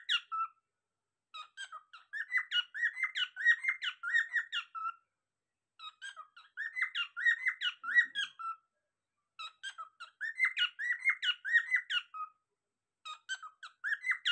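A cockatiel sings repeated phrases of bright, chattering whistles with short pauses between.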